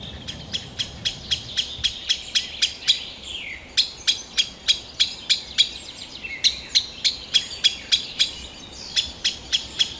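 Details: Green sandpiper in Kalinovsky forest park, Yekaterinburg, 2020: rapid sharp ticking notes at about three per second, with short pauses and thin high whistles running underneath, over a faint steady background hiss.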